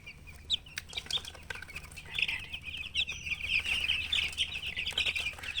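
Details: Chicks chirping: a dense chorus of short, high peeping notes, many overlapping and repeated rapidly, building to a steady busy stream after the second second, with faint clicks and handling noises.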